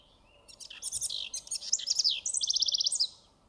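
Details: A House Wren near the entrance to Toro Canyon Park, Carpinteria, California, sings a bubbling, high jumble of notes that ends in fast, rattling trills.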